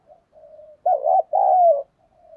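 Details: Spotted dove kept as a decoy, calling in 'thổ' style to attract wild doves: quiet low hum, then one loud phrase, a quavering double note and a longer, gradually falling coo.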